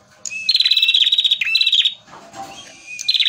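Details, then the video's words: Lively male prinia (prenjak merah) singing as a lure. A fast, high, stuttering trill runs for over a second with a steady lower note underneath, then pauses briefly before restarting. "pancingan prenjak merah gacor jantan full materi"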